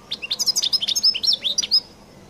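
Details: Dense, high-pitched twittering of a European goldfinch in its distinctive 'qal' song style: about two seconds of rapid, varied chirps and slurred rising notes, then quiet.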